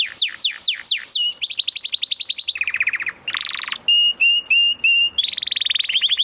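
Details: Canary singing: a series of descending swept notes, then fast trills at high, low and rising pitches, ending with sustained piercing whistles and another quick trill.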